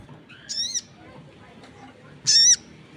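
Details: Crested jay in energetic voice, with other birds reportedly answering: a softer harsh squawk followed nearly two seconds later by a louder, ringing, harmonic one of similar length.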